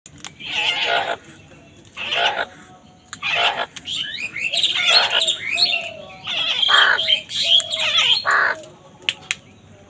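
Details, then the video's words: Crows squabbling with wild birds over food: harsh, broadband cawing bursts about every second or two, then busier overlapping squawks and chattering calls from several birds, with a faint low background hum. "Crow Sound কাকের ডাক"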